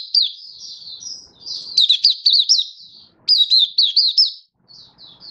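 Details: Singing Malaysian white-eye in a cage in Singapore on a warm, sunny 20 March 2023: high, sweet, rapidly slurred notes in two clear bursts separated by a short pause.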